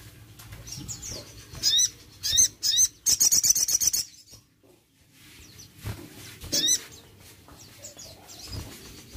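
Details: Sogon, or crested jay, calling to encourage a reluctant bird to sing: loud bursts of high chirps, then a dense rattling trill around three seconds, a pause, and further scattered high notes.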